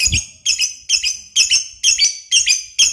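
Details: Lovebird giving short bursts of high, squeaky chirps, about seven bursts in three seconds at a steady beat, each a quick cluster of sharp notes.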